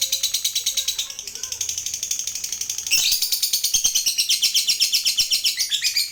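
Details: Long ngekek trill of a fighter lovebird, played to get other lovebirds trilling: quick, rasping pulses that weaken briefly, then return louder and denser halfway through, with faint voices in the background.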